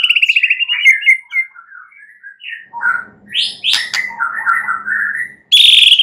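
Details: Night-time stimulus song of a White-rumped shama (murai batu), used to make birds sing often and boldly: a rapid stuttering trill, then mellow slurred whistles, harsh buzzy notes, and a final loud ringing, rattling phrase.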